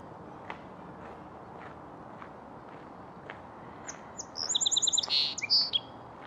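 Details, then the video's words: A Song Sparrow at Beaver Lake sings a bright, high song: a few clear opening notes, then a rapid trill and a buzzy ending, after a quiet stretch with faint clicks. "Song Sparrow"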